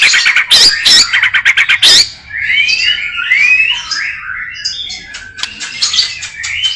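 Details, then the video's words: White-rumped shama in a filler-rich song: a loud, fast stuttering series of high notes opens, then smooth slurred whistles wander up and down, followed by quieter high chatter. "kicau murai batu.. fuul isiaaan"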